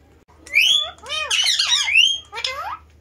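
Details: A talking pet parrot that also dances utters three loud bursts of screechy, warbling, speech-like sounds with swooping pitch, separated by short pauses, over a quiet low background hum.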